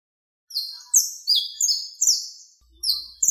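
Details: Saffron finch, known locally as canario criollo, contest-style song for teaching captive birds: a bright series of high whistled and trilled phrases, some sliding downward, some rising, repeated every half second with brief gaps between.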